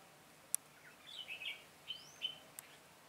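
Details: Decoy red-whiskered bulbul singing to lure wild birds at a trap, 22 September 2017: a brief sequence of sweet, slurred chirps and a gliding whistle, with two sharp clicks breaking the quiet hiss.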